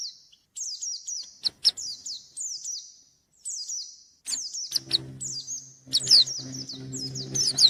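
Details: White-eye singing to find a rival: spaced, high, downward-slurred phrases repeated about every second, growing denser toward the end, over a low steady hum in the second half.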